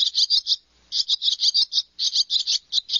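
Barn Swallow giving quick, squeaky, high chirps in rapid bursts of four or five notes, with short pauses between bursts.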